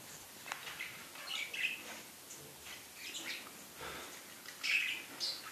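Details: Pet budgerigar giving soft, scattered chirps and short warbled notes against a faint hiss, with brief louder twitters near the end.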